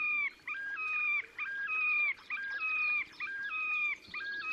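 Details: Displaying Terek sandpiper in the Oka Nature Reserve, Russia, on the Pra near Verkhnee Sheykino, 30 April 2019: clear ringing two-part notes that step up from a lower tone to a held higher whistle, repeated steadily about once a second over soft background noise.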